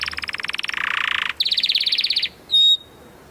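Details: Canary song: a fast rolling trill that speeds into a dense buzz, then a quick repeated chatter and a short clear whistled note.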